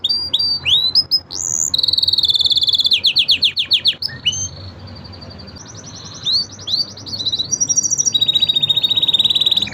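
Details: Canaries, five of them, deliver a training song of varied phrases: sharp upswept notes, a long rapid trill, rolling slurs, then buzzy rattling tours and a high sustained trill.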